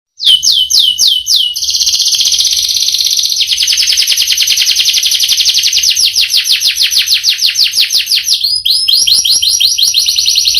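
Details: Canary singing a long rolling song: a few quick rising whistled notes, then a sustained fast trill of evenly repeated high notes held for several seconds, a brief break, and the roll resuming, loud and clear with no other sounds.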